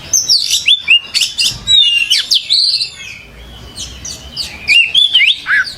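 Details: Kacer (oriental magpie-robin) in gacor song: energetic runs of high chirps, whistles and buzzy slurs, a brief lull, then another lively burst.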